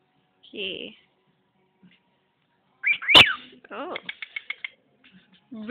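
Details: Indoor pet bird, praised by its owner, gives a loud snap, warbling slides and a quick series of about seven short whistled notes, with the owner's voice heard before.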